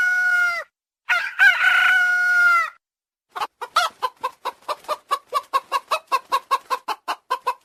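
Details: Red Junglefowl, wild ancestor of the domestic chicken; male crowing described as hoarse and choked off towards the end. A harmonic, slightly rasping crow in two parts ends abruptly, then a rapid run of about twenty-five short clucking notes, several per second.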